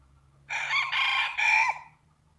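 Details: Cock-a-doodle-doo from a rooster: a strong, harsh three-part crow of about one and a half seconds, the final note sliding downward, with a steady low hum beneath.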